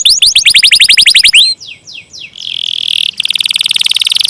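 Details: Canary singing a long roll. A quick series of descending whistles slows into a few drawn-out downward sweeps. Then comes a buzzy tone and a fast, rattling trill.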